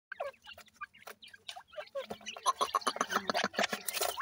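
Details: Newly hatched grey francolin chicks, known locally as Dakhni teetar, giving a rapid, busy stream of short high peeps, several overlapping at a time, with frequent sharp clicks and handling knocks mixed in.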